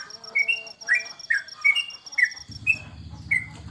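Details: Captive yellow-vented bulbul, known locally as trucukan, in a home bird-contest setting during the corona period. It delivers clear, upslurred whistled notes about every half second, and a low rumbling hum joins partway through.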